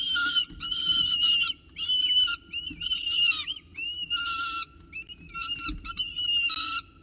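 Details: Peregrine falcon chicks at breakfast in a nest box in Orange, 29 October 2018, 9:36 am, fighting over prey until an adult intervenes to feed. Harsh squeals alternate with arched whistled notes, about one burst per second.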